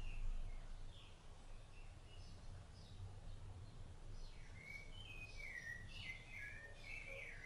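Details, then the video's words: Rufous-bellied thrush feeding its chicks, singing: faint scattered notes at first, then a run of clear warbled whistled phrases in the last three seconds over a low rumbling background. "SABIÁ LARANJEIRA CANTO"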